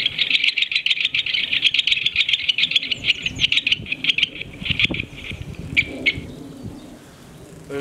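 A great spotted woodpecker gives a fast, dry chatter of sharp high clicks, then a few single notes.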